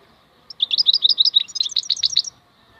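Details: European goldfinch in khalwi song: a quick run of sweet, slightly buzzy chirps, about fifteen notes in under two seconds, stepping up and down in pitch, over a quiet background.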